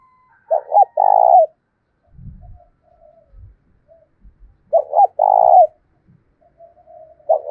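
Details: Decoy spotted dove with a deep 'thổ' style voice, cooing to provoke wild doves into answering. Two phrases, each two short clipped notes and then a long, steady, hollow coo, about four seconds apart, with faint low thumps between.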